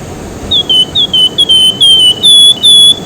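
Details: Javan whistling-thrush in full song, used as a lure and tutor for training other birds: clear high whistled notes, each a short rising flick dropping into a level tone, repeated steadily with lengthening notes, over quiet background hiss.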